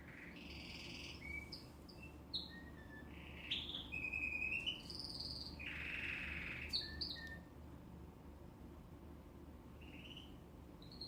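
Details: A canary bought two days earlier, singing for the first time one morning while alone, gives a lively string of varied high phrases: clear whistles, quick rolling trills and brief buzzy bursts, over a steady low indoor hum.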